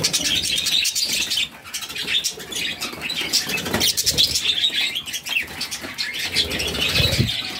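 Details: Budgerigar nestlings, a brood of six, call while fed by their mother: a constant high, grating twitter in quick overlapping bursts, with fluttering and scuffling sounds mixed in.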